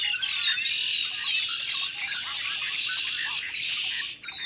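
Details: Noisy Red-winged Blackbird flock in early spring, March 2010, many birds calling and singing at once; overlapping thin whistles and chattering chirps blend into a steady, shrill roar.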